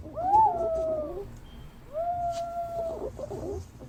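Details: Lure recording of green pigeons: two drawn-out whistles, the first swooping up then falling, the second level and sustained, with soft chattering notes behind.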